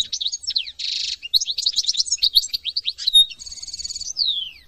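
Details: Continuous goldfinch song from France: tumbling liquid twitters, a harsh buzzy nasal note, quick trilled runs, a sustained high chattering burst and a final descending slurred whistle.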